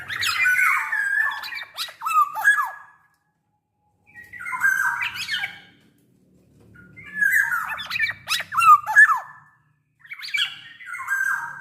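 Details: Big-bodied, actively singing black-naped oriole used as a lure to get other orioles singing: four bursts of harsh, squawky, slurred notes mixed with short fluty whistles, separated by brief pauses.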